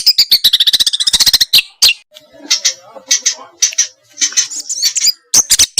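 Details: Small birds on a training recording aimed at making a white-rumped shama sing: a fast rattling trill, then harsh scratchy notes over a low chattering background, closing with quick sharp chirps.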